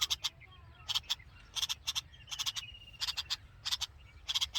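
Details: Hungry red-vented bulbul nestlings in the nest with their mother: bursts of short, harsh, broadband chirps come in quick clusters of two to four, with a faint thin whistle running between bursts and low background hum.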